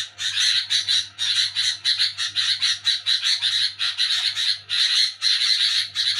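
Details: At night a sooty-headed bulbul keeps up a loud, scratchy chatter, dense grating notes in quick bursts with short gaps, a faint low hum underneath.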